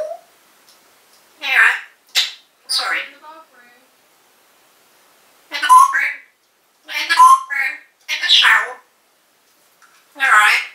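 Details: Caged pet African grey parrot in 2012, calling out the owner's mother's name: a soft low note, then short harsh speech-like bursts in two groups separated by a two-second pause.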